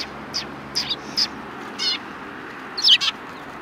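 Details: Sparrows at a shrine, recorded 3 January 2020: sharp, high chirps spaced irregularly, some in quick doublets, over a steady hiss.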